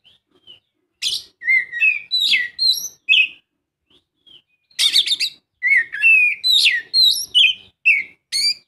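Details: Oriental magpie-robin singing, used as a prompt for a reluctant bird: a fast, varied run of clear whistles, rising and falling slurs and short buzzy notes, with only brief pauses.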